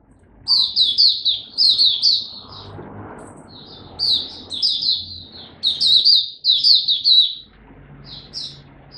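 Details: Oriental white-eye giving its song display, 26 November 2022, repeating quick high twittering phrases of slurred notes in three or four bursts separated by short pauses, over a soft low hum and murmur.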